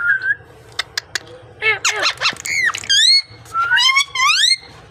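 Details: Parrot speaking in a natural recording: a busy run of chattering squeaks, clicks and sweeping voice-like syllables, ending in two longer wavering, harmonic notes, all over low room hum.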